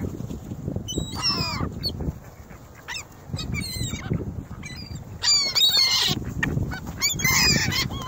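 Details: Feeding frenzy of ring-billed gulls at North Lakes on bread, crackers and breakfast cereal, phone in the middle: sharp, piercing mewing calls coming in quick irregular bursts, several birds overlapping, over low background rumble.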